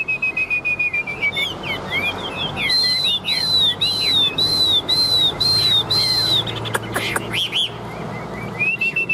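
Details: Caged Chinese hwamei singing competitively, tail spread and wings working: a sliding whistle opens into a row of bright arched whistled notes repeated about twice a second, then sharp clicks and a final rising whistle.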